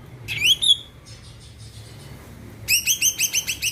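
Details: Greater green leafbird singing hard, used to rouse other birds: a couple of rising whistled notes, a soft pause, then a quick train of repeated sharp chirps.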